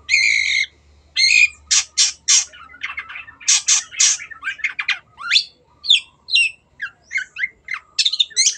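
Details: Long-tailed shrike (cendet) singing a lively gacor training song: harsh buzzy squawks, then quick varied chirps and sharp rising whistles run together in a dense, jumbled stream.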